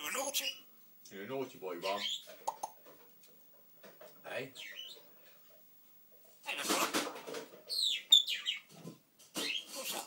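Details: Pet African grey parrot talking indoors, speech-like syllables alternating with bright high whistles and squeaks; human-sounding words may come from a person as well as the bird.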